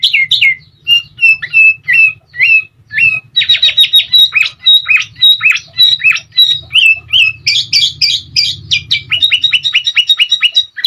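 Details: Sooty-headed bulbul (kutilang) singing, used as a training recording to get other birds singing: dense run of loud, liquid whistled and chattering notes, many dropping in pitch, repeated rapidly with short gaps, over a faint low hum.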